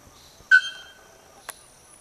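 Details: A bare-throated bellbird (araponga, Procnias nudicollis), about forty metres away among branches and leaves, gives one loud ringing metallic note like a hammer on an anvil, fading quickly, then a brief sharp click.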